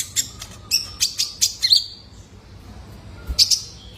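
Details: Juvenile male Brown-throated Sunbird, played for cage-bird therapy: a quick cluster of high, scratchy chips and whistles, a long quiet gap, then two more sharp notes.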